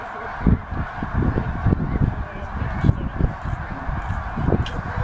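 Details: A flock of snow geese flying from the field where they fed to a lake for the night, Middle Creek Wildlife Management Area, Pennsylvania, 2012. Massed honks blend into a steady clamour, with strong low-pitched background rumble.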